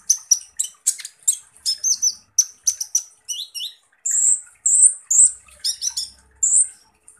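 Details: Van Hasselt's sunbird, locally called kolibri ninja, giving a rapid series of very high, harsh chipping notes mixed with short whistled slurs and drawn-out buzzy high tones, in a busy, uneven rhythm.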